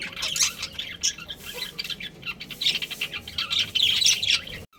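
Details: Budgies of a breeding pair chattering quickly, about four high chirps a second in broken bursts, ending in a sudden cut to silence.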